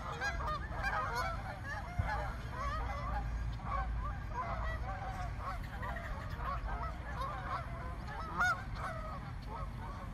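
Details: A frightened flock of more than a hundred swans in a small park gives dense, overlapping nasal honks that run without pause through the whole stretch, over a steady low rumble.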